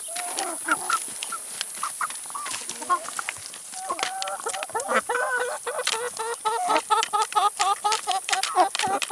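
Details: Chickens eating salad and vegetables, giving many short harmonic clucks and murmurs from several birds at once, dense and overlapping, with sharp pecking clicks throughout and a steady high hiss in the background.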